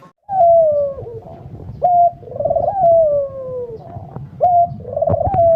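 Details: Barbary dove singing vigorously, repeating a pattern of a short clipped note and a long, husky, gently falling coo. There are soft clicks and knocks in the background.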